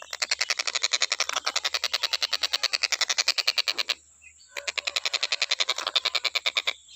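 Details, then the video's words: Long bouts of quick, grating cackles from a stork-billed kingfisher, recorded to train other songbirds, broken by one short pause near four seconds before the rapid series resumes. "TENGKEK BUTO KHUSUS BUAT MASTERAN,FULL KICAU GA ADA BERHENTI NYA"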